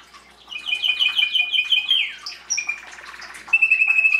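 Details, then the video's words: Canary starting softly, then a quick rattling phrase of repeated notes, a downward slur, brief high whistles, and a steady pulsed trill to finish. "Canary singing"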